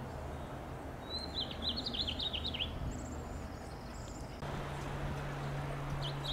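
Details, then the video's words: Male house finch giving contact calls from a Monterey pine in Del Monte Forest, California: a quick burst of chirpy, zigzag notes, a few higher thin notes after, over a steady low hum. "The sound of House Finch"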